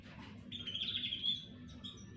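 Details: Canaries in a singing chorus: faint chirps, then a sustained high buzzy trill lasting about a second, followed by a few short clear notes over a low background hum.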